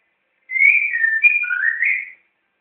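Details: Caged white-rumped shama (murai batu) in Jakarta, Indonesia, singing on its first day: one clear whistled phrase of about two seconds, gliding between mid and higher notes with a brief sharp note in the middle, then silence.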